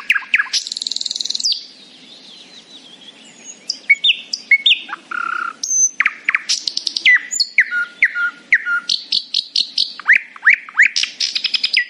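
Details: Morning song of a happy nightingale: a buzzy high burst, a brief pause, then varied phrases of clear whistles, steep swoops and rapid repeated chips building toward high trills.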